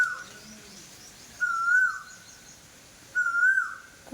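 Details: An Asian koel calling from a tree on a very hot day gives clear, whistled notes that swell and rise slightly, each about half a second long, repeated every second or two over a quiet background.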